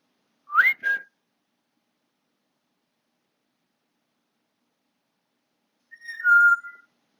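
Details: Male African grey parrot kept as a pet, whistling indoors on 20 August 2022: a quick wavering whistled flourish, then several seconds of silence, then a sliding whistle that settles onto a steady lower note.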